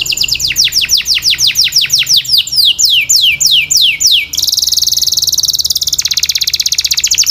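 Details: Canary song: a series of high, clear downward-sweeping notes repeated about three times a second, shifting into faster sweeps, then a long, even, buzzy high trill, with a faint low hum beneath.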